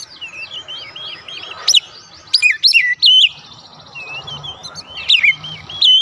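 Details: Song of a white-rumped shama played to draw answers from other birds, made of scattered high whistled notes, quick upward slurs and sharp chip-like accents over a faint trilling background.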